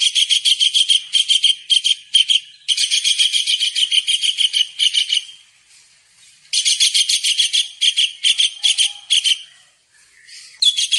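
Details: Tengkek udang kingfisher, lively, recorded as masteran for training cage songbirds: long runs of fast, rasping, buzzy notes, with pauses between phrases and a quiet stretch before a final burst.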